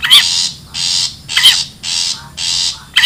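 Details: A wild long-tailed shrike for luring birds gives loud, grating rasps in a steady rhythm, each pair led by a sharp, bending squeak.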